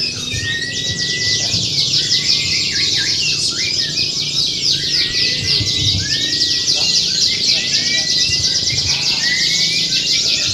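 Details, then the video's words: Many contest canaries sing together in a simulated competition for training. Continuous bright, fast trills and buzzy rolls overlap without pause, with faint human voices and crowd noise below. "Simulasi Lomba Kenari | Suara Kenari Lomba"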